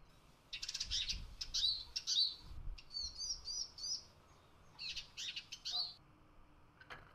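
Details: Eurasian siskin, described as the season's first young bird, placed hungry in a countryside cage trap to lure others, giving bright, high twittering calls and short rising wheezy notes in quick bursts, with a few sharp clicks.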